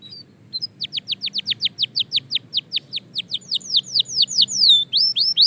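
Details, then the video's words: Belgian canary song in fast tempo: a brief soft start, then a regular run of quick falling chirps, growing louder into curved rising-falling notes at the end. "Shocking Canary Singing Progress"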